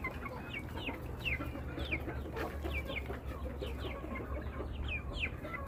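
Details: Flock of chickens with clear, evenly spaced high peeps that drop sharply in pitch, several per second, over a low continuous hum.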